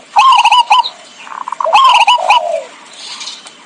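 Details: Zebra dove heard as a trapping lure. Two phrases of quick chattering coo notes, the second slurring down into a lower trailing coo, then fading into quiet hiss.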